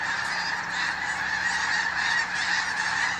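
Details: Snow geese during a hunting outing, a short burst of dense, overlapping high-pitched honking from a large flock, loud and continuous.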